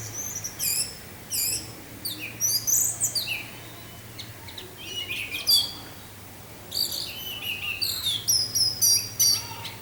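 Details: Orange-headed thrush in teler-style song, recorded with wind sound: loud, lively sequence of sharp descending chirps and high whistles, delivered in quick clusters almost without pause, over a faint low hum.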